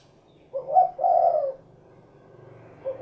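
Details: Spotted dove, locally derkuku, delivering a single soft two-part coo, a short note and then a sustained mellow one, over a faint low hum, with the next phrase just beginning.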